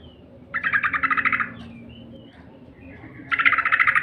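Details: Yellow-vented bulbul lure call, two bursts of fast, evenly pulsed chattering notes about a second long, separated by a quiet gap with faint low hum.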